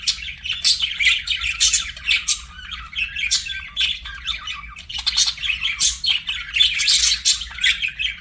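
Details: Budgerigar chirping and warbling: quick bursts of bright, sharp tweets and scratchy trills repeated in rapid clusters, with a short lull midway and a faint low hum.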